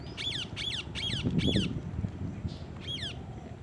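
Rose-ringed parakeet giving four quick, harsh, down-slurred screeches in a fast run, then one more after a pause, over a low background rumble.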